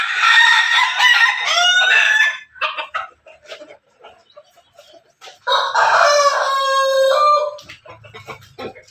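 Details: Backyard-kept chicken, a Pelung–Bangkok–Ketawa cross, crowing: two long, loud, harmonic crows of about two seconds each, the first wavering and breaking near its end, separated by a few seconds of scattered soft clucks and yard noise.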